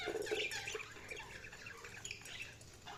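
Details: Budgies chirping: a dense, continuous chatter of short scratchy chirps and warbling notes, overlapping with no pauses for the whole stretch, over a faint low hum.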